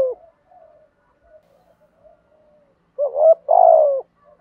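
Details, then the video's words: Quiet low murmurs, then one loud spotted dove phrase of two short notes and a long, slightly falling coo. The urging coo is in the thổ voice style, used to provoke wild doves and train decoy birds. "cu gáy thúc gù/ cu gáy giọng thổ"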